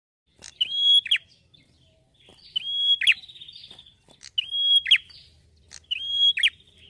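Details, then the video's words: Red-headed prenjak, a small prinia, singing at full volume. Four quick phrases, each a sharp high note, a sustained steady whistle and a buzzy downward flourish, repeated about every one and a half seconds against a quiet background. "GACOR MAKSIMAL PRENJAK KEPALA MERAH"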